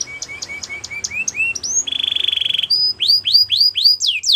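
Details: Belgian canary training song with evenly spaced sharp chip notes rising into upslurred whistles, a dense buzzing roll, then a series of clear, looping whistled sweeps delivered about four per second.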